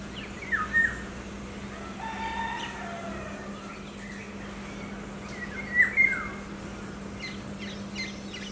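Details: An Indian golden oriole gives two short, fluty whistled phrases with quick downward slurs, about five seconds apart, over a steady low hum and faint background birds.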